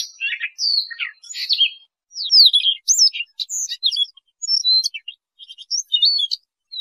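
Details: Siberian rubythroat song, a recording used for trapping: a rapid, varied warble of high whistled slurs, rising and falling notes and short trills, broken into quick phrases with brief pauses. No other sounds.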